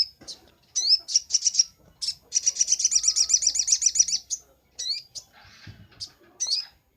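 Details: Sunbird singing, a master recording for training birds: sharp rising chips leading into a dense high buzzy trill of about two seconds, followed by sparse single chips.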